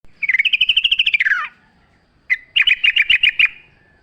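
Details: Yellow-vented bulbul song, described as lively and wild-sounding with natural ambience: a fast run of about a dozen bright chirps sliding downward, a short pause, then a second burst of rapid repeated chirped notes.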